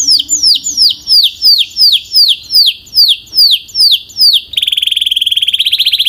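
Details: Canary song: a series of about ten loud descending whistled swoops, roughly two per second, then a rapid high trill.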